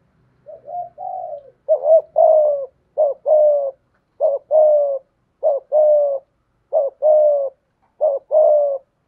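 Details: Spotted dove kept as a decoy bird, singing in the 'thổ' voice style: a few soft lead-in notes, then six steady pairs of a brief wavering coo and a drawn-out mellow coo, about one pair per second.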